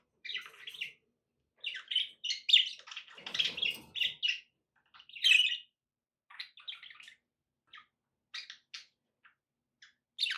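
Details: Budgies kept as pets chatter in bursts of scratchy, whistled chirps and buzzy notes, busier early on, then thinning to sparse single chirps before a last loud burst.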